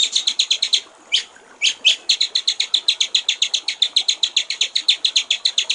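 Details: White-rumped shama master song for training songbirds, in the clear water-trickle style: rapid strings of crisp repeated notes, several per second, broken by a short pause and a few louder sweeping phrases.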